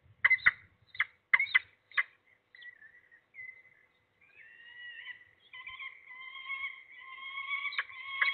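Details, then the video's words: Young peregrine falcon in Trzebież forest district, Poland, calling as an adult arrives with food. After a few sharp clicks and thuds, a drawn-out, wavering, harmonic wail builds and grows louder. "Sokół wędrowny Nadl. Trzebież - Dwie wizyty Foresta z dostawą , słychać młodego"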